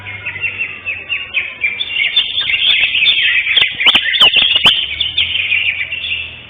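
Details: Greater green leafbird, first-place winner at a songbird singing competition held 11 October 2025 in Indonesia, pours out dense, continuous high chattering and warbling phrases with sharp clicking notes near the middle, amid other contest birds.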